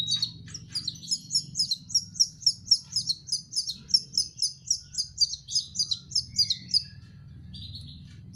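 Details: Canary chicks being hand-fed call insistently, with high, slurred chirps repeated about four times a second in a steady run for nearly seven seconds before they pause. A low hum runs underneath.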